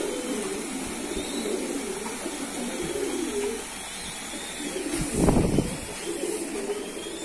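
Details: Pigeons kept by a keeper give soft, low rolling coos through the first seconds, then a sudden loud thump or rustle interrupts midway before fainter cooing resumes.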